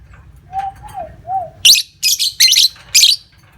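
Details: Three soft gliding mid-pitched whistles give way to four quick bursts of piercing, scratchy lovebird chatter, from a recording played to stimulate other lovebirds into long trilling.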